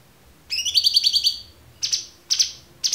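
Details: Cucak cungkok song as a clear training recording: a rapid pulsed trill of rising notes, followed by three short harsh buzzy bursts.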